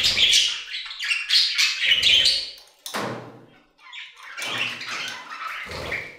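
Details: Budgerigars singing in an aviary, with quick chirps and twitters in lively clusters, a short lull, then more chattering notes and a few thumps.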